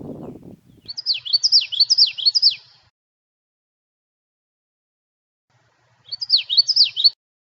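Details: At Natural Tunnel State Park, a Common Yellowthroat sings a bright, rolling witchety-witchety-witchety, about four quick phrases, then a shorter burst of three. A brief low rumble comes just before.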